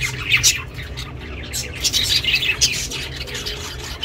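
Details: Captive budgerigar chattering, recorded for budgies living alone; short bursts of high, buzzy chirps and warbled notes with brief gaps, low hum underneath.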